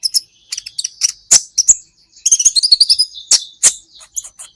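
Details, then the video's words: Training track of a kolibri ninja sunbird for teaching songbirds: lively, fast sequence of piercing high chips and jumbled twittering phrases, some notes loud and ringing, repeated with little pause. "Masteran buat KOLIBRI Ninja Bahan Agar BUNYI"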